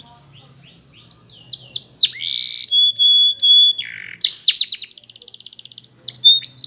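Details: Belgian canary singing a varied song of high descending slurred notes, steady whistled tones and a fast buzzy trill near the end, phrases changing every second or so; a faint low hum underneath.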